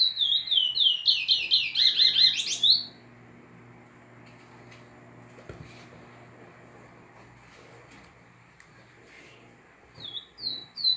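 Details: Curió nordestino, or chestnut-bellied seed finch, singing: a quick burst of rich downslurred whistles lasting under three seconds, followed by long near-silence with a low hum and a few whistled notes returning at the end.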